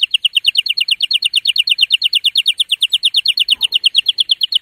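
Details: A male canary's vigorous song meant to excite mates into breeding, here one steady rolling tour of identical sharp notes repeated about six times per second at an even pitch.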